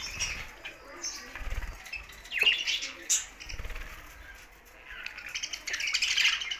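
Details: Budgerigars chirping and squawking: irregular squeaky calls with a couple of sharp loud notes mid-way and a burst of busy warbling chatter at the end, plus low fluttering thumps.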